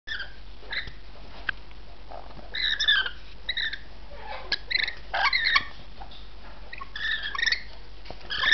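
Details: Rainbow lorikeet giving short, shrill, screeching calls in scattered bursts, some clustered in quick runs around the middle and near the end, with quieter gaps and faint background noise between.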